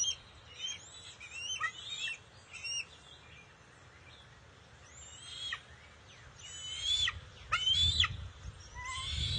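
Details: Juvenile bald eagle welcoming a fish delivery from an adult, first catch of the day on June 22, 2021: scattered high squealing whistles, quieter at first, then stronger bursts near the end amid steady background noise and low rumbling.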